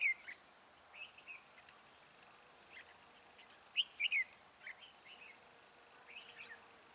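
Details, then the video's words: Decoy red-whiskered bulbul singing at a trap to lure other birds. A sparse scattering of short chirps leads to one louder, slurred, whistled phrase near the middle, then more faint notes. "Bẫy chào mào Mào boi 3 cao vút"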